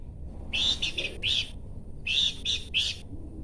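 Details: Harsh, buzzy, broadband notes from a Horsfield's babbler, given in two clusters of two and three bursts separated by a half-second silence.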